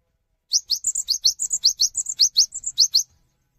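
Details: Cinereous tit singing to invite other tits to join in: a fast run of about seventeen high, thin notes over two and a half seconds, rising upward sweeps alternating with short level whistles, with no other clear sounds.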